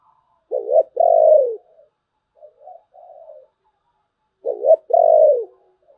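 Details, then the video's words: Spotted dove cooing in the 'thổ bầu' song style. Two strong phrases, each a quick double note then a long falling coo, with softer, broken coos between them in a quiet setting. "cu gáy giọng thổ bầu, nghe cũng hay phết"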